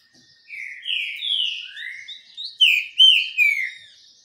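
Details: Green-winged saltator singing while sunbathing: a series of loud, rich whistled notes, the first ones sliding downward, then a quick burst of sharper whistles near the end, with clean background.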